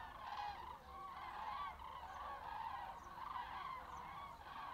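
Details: Northbound flock of common cranes in late winter, observed 20 February at 17:15; steady overlapping trumpeting from many birds, with a few faint high clicks in the background.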